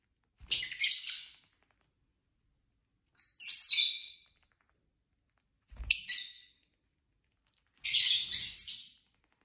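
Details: Pet lovebirds, several kept together, give harsh high chirping squawks in four separate bursts roughly every two to three seconds, each a noisy scratchy cluster, with silence between and faint low knocks.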